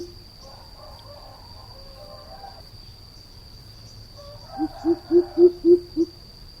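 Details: Greater coucal lure call: after quiet twittering from other birds, a run of six hollow, low hoots steps up gently in pitch at regular quarter-second intervals, over a faint continuous whine.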